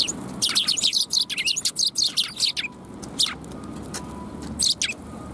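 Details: Fluffed-up sparrows, 1 February 2021, chatter in a dense string of high, clipped chirps for three seconds, followed by a few scattered single notes against faint background rumble.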